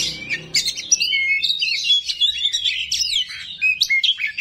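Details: Oriental magpie-robin pouring out a busy, rough song of clear whistles, rising and falling slurs and scratchy notes, with a faint low hum underneath.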